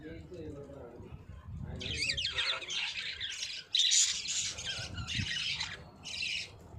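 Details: Budgies singing, recorded on 9 June 2023: after a low murmur at the start, bursts of busy, high, scratchy chattering and chirps from about two seconds on.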